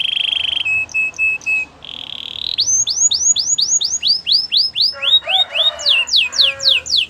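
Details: Gloster canary giving short buzzy tones, then a repeated series of downslurred whistles, about four per second, shifting lower with a rougher, harmonic-rich quality near the end.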